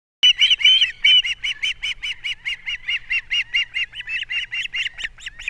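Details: Wild osprey pair at a nest camera on Captiva, 3 April 2022, the male bringing fish and the female feeding chicks: a series of sharp, whistled chirps repeated about twice a second, some slightly rising.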